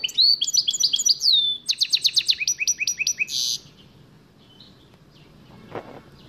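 A goldfinch mule sings a bright, fast twittering phrase of high liquid notes, then rapid repeated chips ending in a buzzy trill, followed by quiet.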